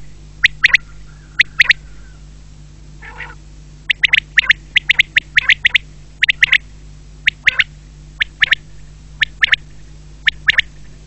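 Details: Quail giving short, sharp, harsh notes in quick pairs and triplets, repeated every second or so, with one softer raspy sound midway and a constant low electrical hum.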